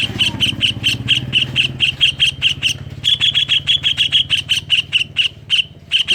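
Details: Greater green leafbird giving song with kingfisher imitation, played to draw other leafbirds into singing: a long, rhythmic string of harsh chattering notes, about four per second, over a low hum.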